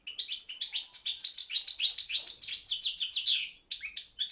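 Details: Competing Balkan goldfinch in an internet world championship run by a Serbian breeders' group; continuous rippling twitter of rapid bright notes and short trills, a brief pause, then a few final chirps.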